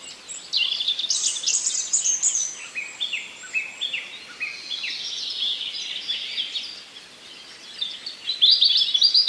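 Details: Common nightingale singing in a forest among other birds: a loud run of clear whistled notes stepping downward and repeating, then rapid high chirps, with a busy chorus of other songbirds behind.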